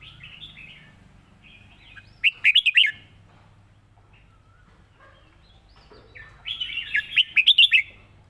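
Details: Red-whiskered bulbul singing a simple model song for teaching birds, two bright bursts of quick warbled, bubbling notes separated by a long quiet gap, with low background hum.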